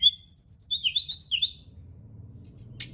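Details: Brown-chested jungle flycatcher song used at night as a lure and therapy to stimulate singing: a quick run of high, varied whistled and chirped notes for a second and a half, then near silence and one brief rasp.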